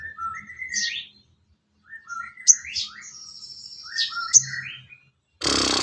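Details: Sooty-headed bulbul singing as songbird training material: clear bubbly whistled phrases rising and falling, delivered in groups with pauses between, two sharp clicks, ending in an abrupt burst of hiss.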